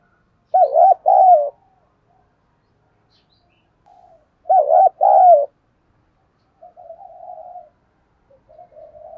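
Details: Spotted dove with a fine voice cooing to rouse a decoy; two similar phrases of rapid wavering notes and a long mellow coo about four seconds apart, followed by softer, fainter cooing.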